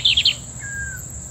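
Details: Lined Seedeater, a small bird 11 cm long: three quick bright high notes, then a thin descending whistle, over steady low hum and a constant high whine.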